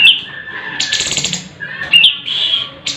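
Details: Sooty-headed bulbul, varied sharp song used to tutor competition birds: clear whistled notes alternating with harsh buzzy high bursts, two similar phrases about two seconds apart, faint low background hum.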